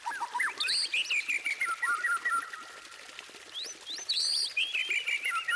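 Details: White-rumped shama song: a rich run of clear whistled phrases, some rising and some falling, with sliding notes and short buzzy bursts. Brief pauses separate the phrases.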